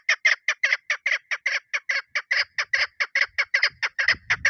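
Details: Female chukar partridge, kept as a lure, calling in a fast, slightly uneven series of harsh chuk notes, some paired, with a faint low rumble near the end.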